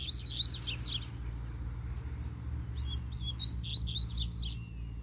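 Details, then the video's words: Loose, free-living double-collared seedeater in strong voice: a fast cluster of piercing high notes, a pause, then another run of bright slurred whistles and chips, with low background hum. "COLEIRO SOLTO FORTE CHEGOU PICANDO CANTO!!!"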